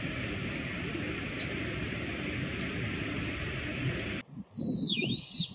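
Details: Brown-eared bulbul with three long, piercing whistled notes, then an abrupt switch to a burst of rapid, warbling, swooping high notes near the end.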